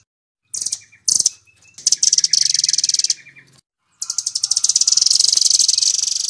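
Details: Velvet-fronted nuthatch giving 'nembak' full-speed song, intended as tutor material for songbirds: short chattering bursts and a thin whistled note, then a long, sustained, very rapid high trill.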